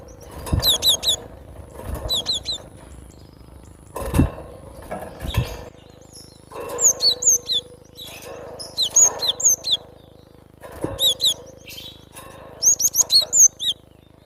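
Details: Wild cinereous tit in its natural habitat, singing phrases of two to five high, piercing whistled notes. The phrases repeat every second or two across the recording, over low thumps and a faint hum.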